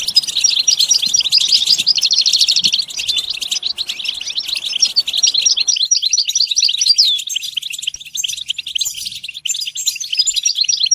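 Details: European goldfinch singing a long, lively twittering phrase of quick high chirps and trills. A steady rattling run of notes comes near the start, and the chattering carries on in a clean recording for eleven seconds.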